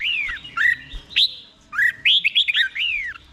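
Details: Red-whiskered bulbul song in Thailand, played so caged bulbuls can copy it: clear whistled phrases of rising and falling slurred notes, in two bursts separated by a short pause.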